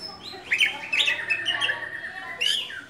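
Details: Kept oriental magpie-robin (kacer) from the Indonesian songbird hobby delivering a continuous run of clear, looping whistles and quick slurred notes that wander up and down, ending in a brighter burst, over a steady background hum.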